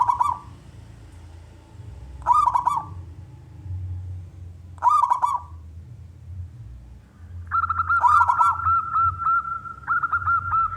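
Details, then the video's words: Male local wild zebra dove singing actively, used to lure other doves into singing; trilled coos in three short bursts, then a long sustained cooing run, over a steady low rumbling background. "perkutut lokal gacor suara jantan"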